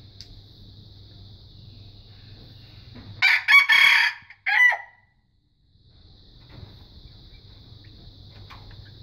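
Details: Young wild red junglefowl, a growing juvenile learning to crow: one short crow of several harsh, broken, scratchy syllables lasting about a second and a half, then quiet, over a steady high insect-like hum.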